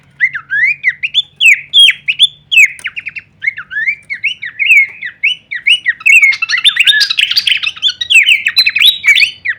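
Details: Horsfield's babbler in masteran training audio, kleperan variation: evenly spaced rising whistled phrases, then a busier, scratchy chattering burst in the second half.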